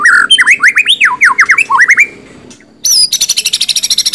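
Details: White-rumped shama singing loud, rich whistled phrases that swoop up and down in quick succession, then after a short pause a rapid, evenly repeated series of high bright notes.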